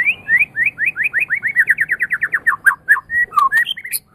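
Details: White-rumped shama of the Medan type, a championship singer, used as a training recording to get other birds singing: a fast run of downslurred whistled notes, about four per half second, then varied sharper notes and upslurs near the end.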